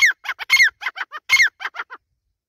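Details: Grey francolin female voice: loud, scratchy repeated notes, each burst led by a sharp downslurred whistle, then a run of quicker, fading squeaks over about two seconds.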